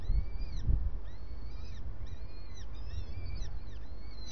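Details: Breakfast-time starling: repeated downward-curving whistled notes in quick groups, with a couple of low thumps near the start and steady rumbling noise underneath.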